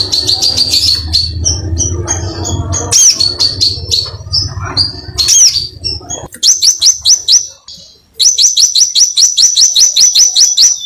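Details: A crimson sunbird in vigorous song (gacor) opens with mixed high chirps and twitters over a low hum, then breaks into rapid runs of sharp, high, upslurred notes, several per second, pausing briefly between two long bursts.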